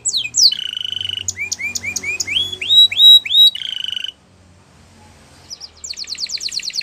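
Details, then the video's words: Canary song with clear rising whistled notes repeated in a steady series, framed by buzzy sustained tones, a brief pause, then a quick high rattling trill. "Canary Bird Singing | The Best Canary Song"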